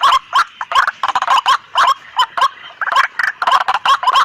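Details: White-breasted waterhen calls played as a hunting lure; loud, harsh bursts of croaking notes in quick irregular clusters, each burst with a short squeaky whistle, separated by brief gaps.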